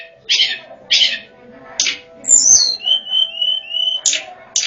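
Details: Sunda robin lure song for calling wild birds: rasping, noisy bursts repeated about once a second, around a high whistle that falls into a string of level whistled notes.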